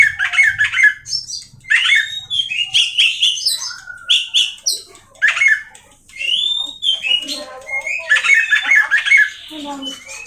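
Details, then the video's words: Kacer, the Oriental magpie-robin, kept by Indonesian bird fanciers, delivering a rich, fast run of whistles, chattering notes and slurred rising and falling phrases in dense bursts with brief gaps, plus a faint low rumble early on. "suara Kacer"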